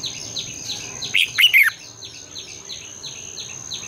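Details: A red-whiskered bulbul's morning song, long twisted double voice, used to rouse birds into singing: a brief burst of three loud warbled notes amid a steady background of repeated soft downward-sweeping chirps and a high hum.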